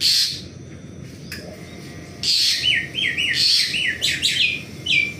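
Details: Asian pied starling during morning activity, giving loud whistled phrases of short notes that slide downward, clustered in bursts after a quiet opening second, with a faint hiss behind.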